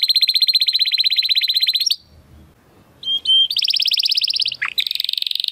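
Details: Timbrado Español canary male from rated parents sings training song: nearly two seconds of rapid pulsing trill, a pause with faint background noise, then short whistles and another fast rolling trill.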